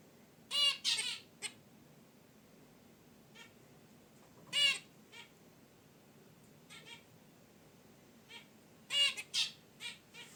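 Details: Pet zebra finches in their cage beside a wicker basket nest give short, nasal, toy-trumpet honks in scattered bursts of two or three, with softer chirps and rustling between, in unedited audio.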